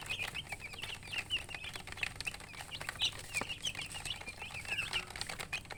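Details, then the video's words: Flock of baby chicks chirping, rapid shrill peeps pouring out continuously over soft scratching and tapping sounds. "Baby "Chicks Chirping" Sound"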